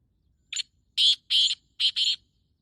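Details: Breeding call of a male black francolin, or kala teetar, dated 14 May 2024 at 5:15: five harsh, buzzy notes, one brief opener, then two rasping pairs close together, strong and clear with little else heard.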